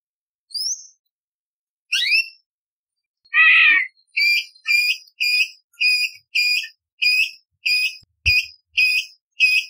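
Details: Bulbul training song for contest birds: a few rising whistles, a harsh burst, then a steady series of about ten bright two-part notes spaced under a second apart.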